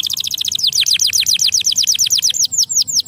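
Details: Canary in full song, offered to encourage lazy canaries to sing, delivering a rapid chain of repeated high down-curving whistles that slows into a few separate arching notes near the end.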